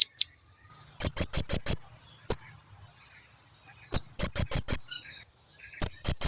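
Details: Blue-crowned hanging parrot call used as a lure so others answer: repeated bursts of five rapid, piercing, very high chips, each burst about three seconds apart, with single squeaky notes between.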